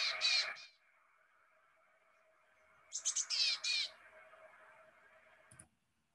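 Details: Willow tit (Poecile montanus) alarm call, distinct from the marsh tit's: a high buzzy chatter in two bursts, the second three or four harsh notes, over a faint steady hum.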